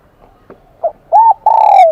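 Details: High 'kim đồng' voice of a wild-caught spotted dove: faint soft notes, then a clear arched coo and a longer drawn-out ringing coo that slowly falls.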